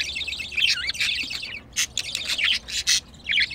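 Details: Pet budgerigar pair, a male and a female in heat, caught while mating; bright chirps and scratchy warbles in rapid bursts, some notes rising and falling, with short gaps between phrases.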